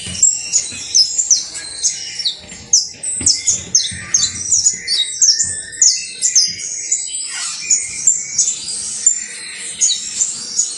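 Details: Creole saffron finch, called canario basto, in song: dense bursts of high chirps and sliding whistles in quick uneven series, with a few lower notes and a steady background hiss.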